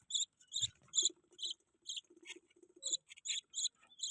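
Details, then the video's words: Budgerigar chirping: short high chirps repeated about twice a second in quick pairs and runs, each a bright doubled tone, with faint low rustling underneath. "Budgie chirping sound"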